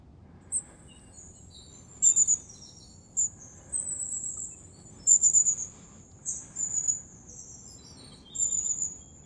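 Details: Wild long-tailed tits in January in the Moscow region near the Zvenigorod Biological Station give thin, very high, drawn-out whistled notes in scattered short runs, with several birds overlapping over a quiet background.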